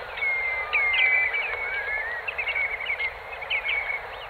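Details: Eurasian oystercatcher flock in the Kent Channel, Morecambe Bay, gives a constant chorus of shrill, piping whistles that overlap and slide in pitch, with a soft background hiss.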